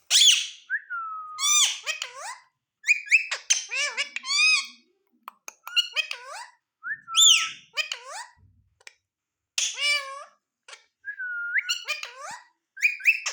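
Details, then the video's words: Ringneck parrot talking: bursts of harsh, harmonic-rich speech-like syllables with swooping pitch, mixed with clear whistled notes that slide down and level off, in phrases separated by short pauses. "Ringneck Parrot Berbicara"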